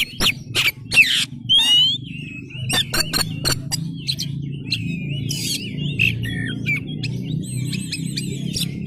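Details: Oriental magpie-robin 'kacer gacor' singing with tail open, a lure song meant to make other magpie-robins reply: loud harsh bursts early, then warbled whistled phrases over a steady low background hum.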